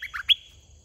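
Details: Wild red-whiskered bulbul, fierce and chasing a caged decoy bird during trapping: a few short, slurred chirps, the last brighter and rising into a thin held tone, in a quiet setting.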